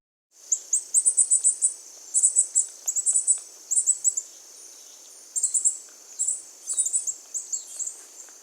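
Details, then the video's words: Begging Northern Cardinal fledgling giving very high, thin twittering in quick bursts of about a second, repeated several times over a steady high hiss, pitched at about 8–10 kHz. "So here's the twitter of a begging cardinal."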